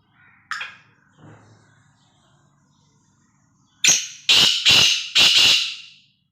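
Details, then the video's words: Pet black francolin (kala tetar) calling: after a few faint notes, four loud, harsh, grating notes follow in quick succession, each about a third of a second long. "kala tetar ki awaz boli"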